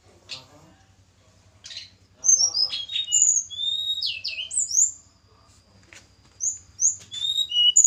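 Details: Snowy-browed flycatcher from Java, caged for pairing: after faint clicks, clear high whistles with looping slurs and steep sweeps come in spaced phrases, with a low hum throughout.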